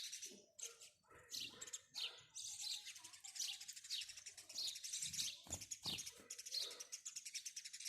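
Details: House sparrows chirping in a dense, continuous chorus of bright, overlapping high notes, with a few louder, lower chirps standing out near the start.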